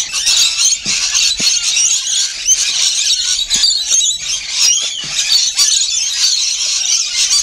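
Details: Noisy rainbow lorikeets feeding together, continuous piercing squeals and rapid twittering chatter, thick and high-pitched, with a few soft knocks underneath.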